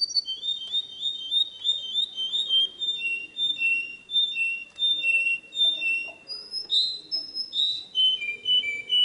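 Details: Canary pouring out a varied song: rapid high rolls at the start, then slower slurred whistles stepping down in pitch, followed by rising and falling high notes near the end.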